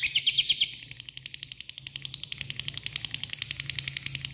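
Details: Caged lovebird giving a long trill to call a rival: rapid, high, dry ticking notes at about three per second, with a few louder chirps at the start and a faint low hum behind.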